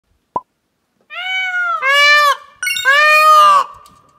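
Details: An 11-month-old male peacock gives his first mating calls: three loud, nasal, cat-like wails in quick succession, each lasting under a second, after a single soft click.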